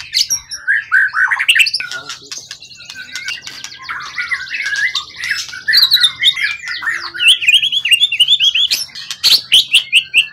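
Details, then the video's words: Wild-caught competition bird with a tail over 20 cm, long kept and calm, in top singing form: rapid varied whistled phrases with slurred rising and falling notes, buzzy trills and sharp clicks, mostly high-pitched, near-continuous, with faint low hum. "Burung event ori hutan ekor 20cm up lg on banget prestasi burung hutan gk giras ya rawatan lama."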